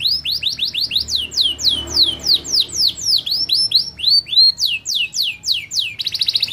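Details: Canary singing rapid downward-slurred whistled notes at an even pace, several per second, closing with a brief buzzy rolled trill.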